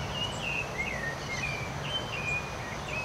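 Rufous-bellied thrush giving a string of short, slurred whistles, some rising and some falling, several each second, over a steady hiss of background noise.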